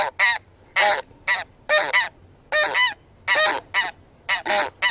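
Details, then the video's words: A Taiga Bean Goose (Anser fabalis) gives loud, nasal honks, single or in quick pairs, about a dozen in five seconds, over faint low background rumble. "寒林豆雁/Taiga Bean-Goose"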